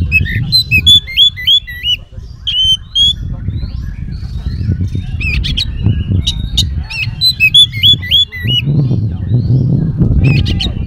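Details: Oriental magpie-robin singing a lure song rich in mimicry to draw replies from other magpie-robins: fast sequences of looping whistles, scratchy chatter and sudden loud bursts, with a persistent low rumble underneath.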